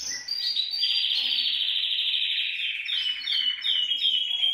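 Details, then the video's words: Canary singing a long, buzzy rolling trill that holds steady and then breaks into faster, higher chirping notes near the end; the song is played to prompt other canaries to sing. "TU CANARIO CANTARÁ CON ÉSTE VÍDEO | CANTO CANARIOS"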